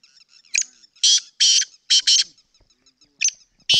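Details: Sindhi black francolin calling: a short sharp note, then two harsh, grating, buzzy notes and a quick doubled note. The phrase is given twice, with faint clicks between the calls.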